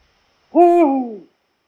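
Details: Eurasian eagle-owl, a protected species in Poland, giving a single harmonic-rich hoot under a second long, steady then sliding downward at the end, against clean silence.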